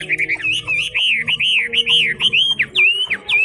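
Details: Chinese hwamei with a wild forest-style voice singing in fog: a loud, continuous run of rich whistled phrases rising and dipping, with slurred loops and quick downward swoops over a faint low hum.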